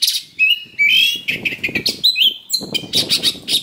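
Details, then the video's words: A combative Oriental magpie-robin delivers its rough, fight-provoking song. Clear rising whistles alternate with grating chatter, ending in a quick series of harsh, scratchy notes. "Suara Pancingan Kacer Super NGOTOT Gacor Tarung Full Isian Kasar"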